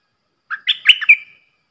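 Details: Red-whiskered bulbul decoy song recorded in Thailand, used to teach young birds and to lure wild ones: a sequence of bright, rolling warbled notes, loud and clear, ending in a fading whistle.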